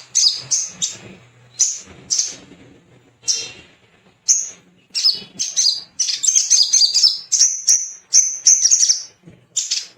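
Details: Male little spiderhunter singing to prompt other birds to sing: separate high, sharp chirps at first, then a dense, shrill chattering stretch of rapid notes, then more spaced chirps.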